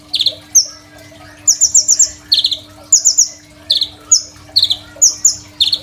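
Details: Crimson sunbird master song for training young sunbirds, phone-recorded: buzzy downward notes paired with fast high trilled runs, in phrases about every second, with a low mechanical hum beneath.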